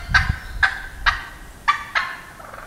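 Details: Wild turkey gobbling on a morning in the Wisconsin woods; five sharp, rattling gobbles in under three seconds, each a quick burst with a ringing tail, over a low background rumble.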